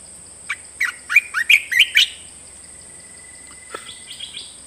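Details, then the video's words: Caged red-whiskered bulbul delivering a fast series of six loud, bright whistled notes with swooping pitch, followed by a long thin held tone and a few softer chirps trailing off, over a faint steady hum. "เสียงนกกรงตาแดงเจ้าขุนพลEp2.เสียงใหม่ต่อเข้าจริง!!!Kicau merbah belukar gacor"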